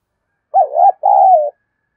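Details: A spotted dove gives one loud, clear two-part coo, meant for making a captive dove coo quickly: a bubbling, undulating note, then a longer level note easing downward, on a silent background.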